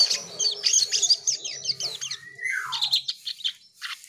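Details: Asian pied starling in full song: a fast stuttering burst of high squeaky notes, then a long descending whistled slur, followed by scattered sharp chirps over a faint low hum.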